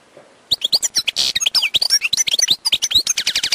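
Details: Wild European goldfinch pouring out continuous twittering song: fast tinkling chirps, slurred whistles, a buzzy note, and a closing run of rapid repeated trilled notes.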